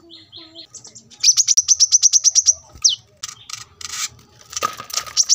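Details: Brown-throated Sunbird singing steadily, taped beside a road as a tutor for cage birds: a few soft notes lead into a rapid run of bright, high chirps, then a swooping note and rough, buzzy chatter.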